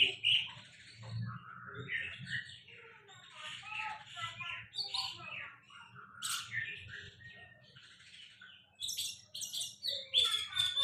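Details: A bird known as Sulingan Laut sings a long, varied warbling song of quick chirps, trills and slurred whistles. Phrases run almost without a break and end in a burst of sharp, high notes.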